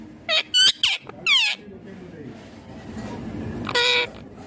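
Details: Ringneck green parrot uttering a fast cluster of chattering, slurred speech-like sounds, a pause with soft background noise, then one nasal squawk.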